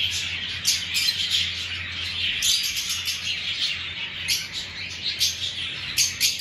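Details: Many lovebirds kept in a breeding aviary chatter nonstop, a thick wash of piercing high chirps with sharper squeaks breaking through, over a faint low hum.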